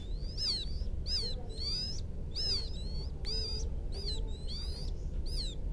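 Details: Quail chick calling its mother: high, quavering downward peeps about twice a second over a heavy rumbling background noise.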